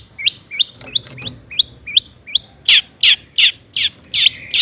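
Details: Long-tailed shrike 'toet toet' song used to make other shrikes sing: six upslurred whistled notes about every half second, then a run of louder, harsher buzzy notes at the same pace.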